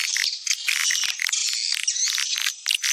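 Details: Swiftlet lure sound, popular in Sumatra, played to attract swiftlets: continuous high, buzzy chattering of many overlapping twitters and clicks, with brief dips in loudness.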